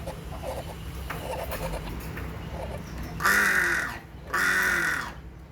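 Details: Faint, soft clucking notes give way to two loud, grating hornbill honks about a second apart near the end, with a steady low hum underneath.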